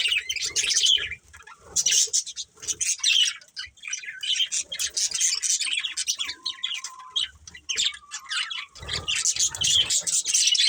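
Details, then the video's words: Pet budgerigars chirping as a family group, a busy chatter of short scratchy chirps and squawks in bursts with brief pauses, plus a faint low whistle near the middle. "Cute Budgies Chirping Sounds"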